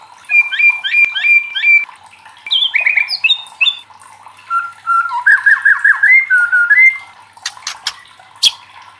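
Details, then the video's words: White-rumped shama, a loud song played to challenge and prompt other shamas to sing: varied whistled and chattering phrases, repeated notes near the start, rising slurs and sharp clicks toward the end. "SUARA LANTANG MURAI LAIN JADI IKUT TERTANTANG BUNYI | Pancingan murai batu bikin gacor ngeplong"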